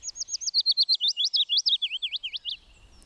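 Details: Willow warbler song, begun around mid-April: a sweet, fluty, melancholy phrase of about twenty quick notes sliding gently down the scale, lasting two and a half seconds, with a slight lift at the end.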